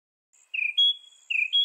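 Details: A northern mockingbird gives two short pairs of notes, each a buzzy chirp followed by a clear, steady whistle, heard on a quiet background.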